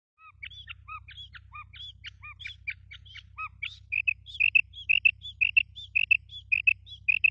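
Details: Female quail, used for quail hunting: thin, high chirping notes in quick uneven series, shifting into sharper paired chip notes repeated about twice a second, over a steady low hum.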